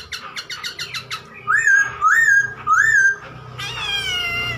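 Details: Chinese hwamei song meant to stir other birds: a quick series of repeated sharp notes, then three loud rising-and-falling whistled phrases about half a second apart, ending in a harsher drawn-out note.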